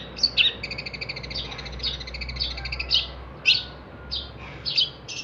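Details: Singing long-tailed shrike, recorded as tutor song for cage songbirds: sparse sharp chips and short whistled notes spaced irregularly, some with ringing overtones, over a steady low background hum.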